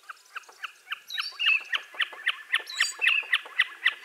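Common Snipe gives a steady, rhythmic run of hard, clipped 'chip-a' notes, about four a second, with thin higher bird calls behind.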